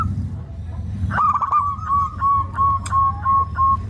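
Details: Zebra dove gives a rapid series of soft, clear whistled coos on one even pitch, evenly spaced about three per second, over a steady low background hum.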